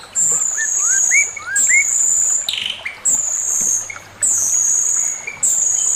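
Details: Male Chinese hwamei sings master song: loud, long, very high whistles repeated roughly every second and a half, with lower rising whistled notes between them.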